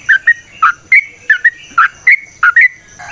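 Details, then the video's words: Yellow-vented bulbul in a long song used to draw out other birds: chattering liquid phrases of falling and rising notes in quick doublets, spaced about a third of a second apart. "Trucukan GACOR ngalas ROPEL PANJANG suara alam AMPUH buat pancingan"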